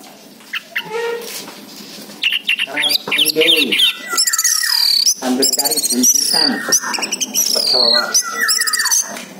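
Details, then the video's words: Dense, varied orange-headed thrush song used as a lure to make silent birds answer: rapid tumbling mix of sharp chirps, slurred whistles and scratchy warbled notes, almost continuous after the first few seconds. "PANCINGAN ANIS MERAH MACET BUNYI"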